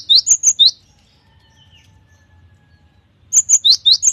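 Cinereous tit singing bright, high, sharp notes in quick bursts of three to six, with a pause of over two seconds between bursts.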